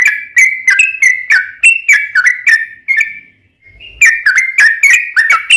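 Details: Lure recording of a yellow-vented bulbul in gacor long-rolling ropel panjang style, meant to provoke other bulbuls: rapid chattering, liquid notes tumbling for three seconds, a short gap, then another energetic burst.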